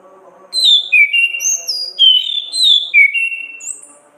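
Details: Ngeplong gacor ngriwik song of an orange-headed thrush, a tutor recording for training cage songbirds: loud, clean whistles that sweep downward and then hold steady, in two matching phrases, over faint low hum.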